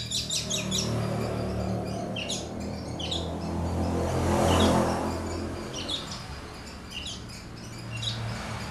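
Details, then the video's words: Captive Horsfield's bush lark of the Papuan subspecies Mirafra javanica aliena, singing actively, bursts of high, thin chirping notes in quick clusters, over a steady low hum and faint background music. "branjangan aliena gacor"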